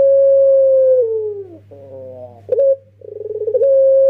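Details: A young puter pelung dove used for luring birds: a long coo gliding downward, a rolling warbled section, a short sharp coo, then quick rhythmic pulses building into a fresh sustained coo, with continuous low hum.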